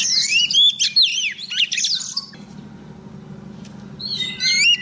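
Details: Female Oriental magpie-robin singing to attract a male, played as a decoy: rich, rapidly changing whistles and trills in two loud phrases separated by a quieter pause with low hum.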